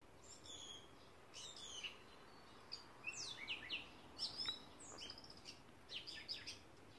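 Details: In Northeast Ohio, a gray catbird (Dumetella carolinensis) gives a jumble of quick, squeaky, slurred notes in short bursts, some sliding down in pitch, over a faint background hiss.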